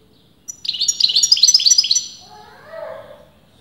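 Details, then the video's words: A European goldfinch, whether male or female debated by expert breeders, sings a short burst of rapid, high, chattering twitters, followed by a low, muffled harmonic sound afterward. "غناء متواصل لمقنين"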